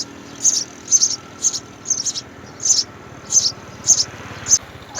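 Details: Three young house sparrows at the nest as mother and father feed them: high, thin chirps come in short bursts about twice a second, steady and insistent, over a quiet low background hum.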